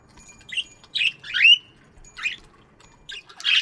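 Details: Morning aviary budgies giving short scratchy chirps with one rising whistled note, spaced by brief pauses, ending in a harsh, noisy squawk.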